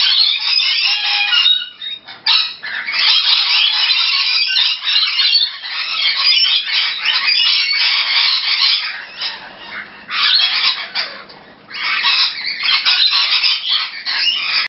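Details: Rainbow lorikeets, regular visitors to a home south of Brisbane, Australia, keep up dense, harsh screeching chatter that runs almost without a break, briefly fading twice before rising again.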